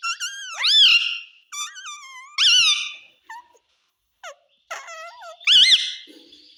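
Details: Talking parrot repeating "mummy" and "papa" in clear, rich, quavering syllables with strongly rising and falling pitch, delivered in short phrases with gaps, one sharp click in the middle.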